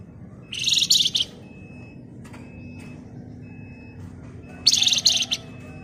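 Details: Shrill, tightly packed ngebren from a Flamboyan bird: two high, harsh, buzzy rattling bursts several seconds apart, each ending in a few clipped notes, over a quiet steady tone and low background noise.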